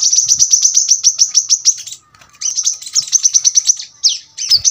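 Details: Very high, rapid chip series from a brown-throated sunbird, a sharp dense 'tembakan rapat' song for tutoring birds at home; a quick trill stops abruptly, then restarts with twittering notes and a few descending slurs.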